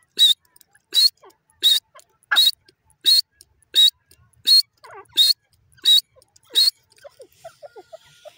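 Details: Grey francolin, known locally as irani desi teetar, calling in a forest. Ten loud, rasping bursts with a whistled core come at an even pace, then the series stops and quieter scattered chirps follow.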